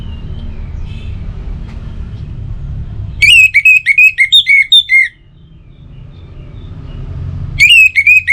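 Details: Orange-headed thrush song used as a morning and evening lure to set other birds singing: a loud, rapid run of whistled, slurred notes, then a pause of low hum before another burst begins.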